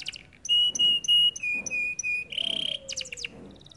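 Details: Canary singing with level, steady whistled tones held in short bursts, a shift to a slightly lower pitch, then a buzzy rapid trill and a few quick chirps, in kenari gacor style.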